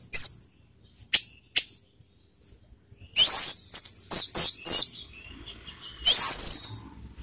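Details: Orange-headed thrush singing a 'teler' lure song to stir emotion and breeding urge: isolated sharp high notes, then a fast run of looping whistled and chattered phrases, and one final shrill burst.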